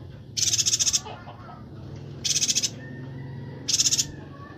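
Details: Bornean yuhina (Perenjak Batu), a Kalimantan bird in lively voice for songbird training, gives three bright, rapidly pulsed chatters roughly every one and a half seconds against a quiet low rumble.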